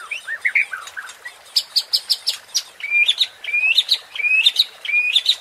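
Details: White-rumped shama (murai batu) pancingan, a provoking song for stirring contest birds: soft varied warbles, then a quick run of sharp high notes, then loud rising whistles each ending in a bright upward flick, repeated about every half second.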